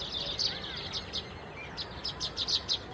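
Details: Several baya weavers twittering: clipped high chirps, first scattered, then a tight run of rapid, evenly loud notes near the end, with faint low background noise.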